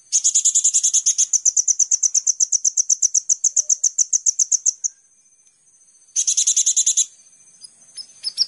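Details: Van Hasselt's sunbird (kolibri ninja), a master recording used to lure and train songbirds, in full rapid-fire 'gacor tembakan' style: a very high, fast, buzzy trill of evenly repeated notes for about five seconds, a pause, then a shorter burst and scattered chips.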